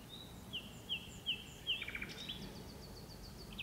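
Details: Common nightingale singing at dusk from deep inside birch bushes, one of two birds singing: a series of clear whistled notes repeated about every 0.4 seconds, then quick rattling and rising notes over faint background hiss.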